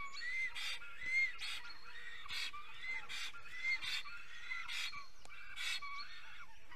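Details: Black stork (Ciconia nigra), a male in the nest in Estonia singing at 5:48 am on 10 April 2020: a run of wheezy, hoarse whistles broken by short rasping bursts, repeated about once a second, over a low steady hum.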